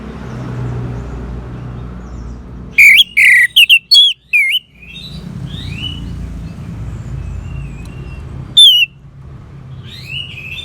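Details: Orange-headed thrush singing, meant to coax a bird that has stopped singing: a quiet hum, then a fast run of piercing high notes and downslurred whistles, faint whistles after, and one more loud slurred note.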